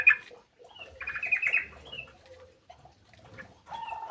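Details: Birds quarrelling at feeding time in an aviary: a sharp high chirp, then a harsh scratchy chatter, short thin whistles, and a closing level whistle amid low rustling.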